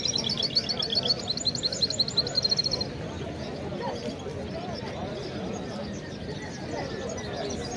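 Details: Goldfinch × canary hybrid, bred from a male goldfinch and a female canary, singing a rapid high trilled phrase of repeated bright notes for about three seconds, then stopping; steady low rumbling background noise throughout.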